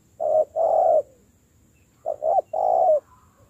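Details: Captive spotted dove being trained as a decoy bird delivers two deep cooing phrases, a short note followed by a long rounded coo, with about a second of quiet between them.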